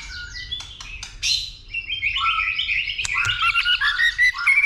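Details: Fighting song of a white-rumped shama, roused by a female: varied whistled phrases and rapid chirps, rising and falling, with tail-flicking clicks among bright, dense notes.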